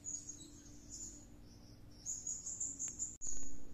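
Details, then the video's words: Serindit, a kept bird singing vigorously after returning from a bird-luring outing: thin, very high shrill trills in short bursts, densest near the end, over a low steady background hum and a sharp click. "Suara serindit gacor kerasukan"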